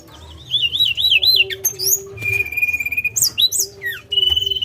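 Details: Tledekan gunung song opening with a wavering warbled whistle, then sharp upslurred notes, a long level whistle, fast ticking runs and a final held whistle, with a constant low hum in the background.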